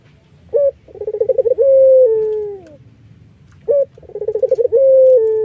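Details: Melodious Iraqi collared dove, a lure for wild doves: a brief high note, a fast rattling string of pulses, then a drawn-out coo falling away; the same phrase begins again near the end.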